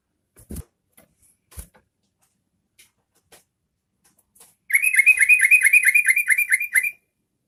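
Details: After a few scattered clicks and taps, a yellow-vented bulbul breaks into a two-second run of rapid, bubbling chatter, a song played to provoke other bulbuls into singing.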